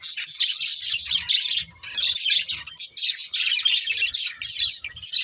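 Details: Budgies keep up a constant scratchy warble, buzzy chirps running together with short dips, soft low knocks underneath.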